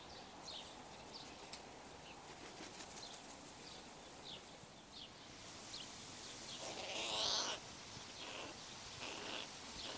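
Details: Juvenile crows, many of this year's late offspring bickering in a group at a zoo; a single loud, coarse squawk near the end follows a string of faint, short chirps over a constant hissing background.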